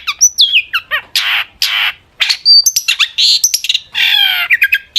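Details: Long-tailed shrike singing intensely to make other shrikes answer: slurred whistles alternating with rasping, buzzy blocks of sound and quick chirps, continuous throughout.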